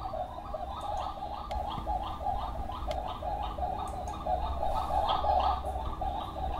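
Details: Spot-winged wood-quail (Odontophorus capueira), a small crested forest galliform of eastern Brazil, giving a steady run of low, hollow hooting notes, about three per second, over a low background rumble.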